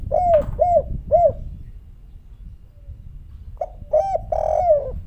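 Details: Spotted dove in the rare 'kuk 3' coo style: three evenly spaced, arched mellow coos, a quiet gap, then a fresh phrase of short clipped notes running into a long wavering coo, with steady low-frequency noise underneath.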